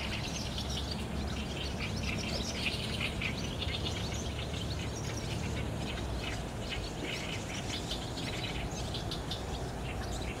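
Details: Barn swallows gathering at their roost under an overcast sky on 30 June 2019, recorded with a DSLR camera; a dense chorus of short high chirps and twitters runs throughout over a steady low rumble.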